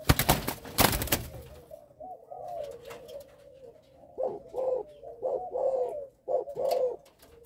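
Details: Caged spotted dove of a Malaysian line with a stuttering coo on its first three notes, indoors. After loud clicks and knocks, a run of short, low, hollow coo notes follows in quick, uneven bursts.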